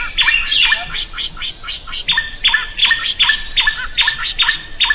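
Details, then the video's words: Drongo singing loudly, used as a model song for other birds: busy scratchy chatter leading into regular, ringing harsh notes with hooked tails, about two to three a second. "SUARA SRIGUNTING GACOR COCOK BUAT MASTERAN.burung lain akan ikut gacor"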